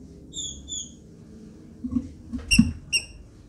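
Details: Captive female green-winged saltator, registered with the national wildlife agency, calling and soliciting mating; thin high paired whistled notes followed by short sharp peeps, with low handling noise.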